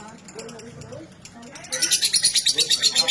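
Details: Female fighter lovebird bursting into a shrill, high chattering run of pulsed notes, about four per second, after quiet talking and soft low sounds at the start.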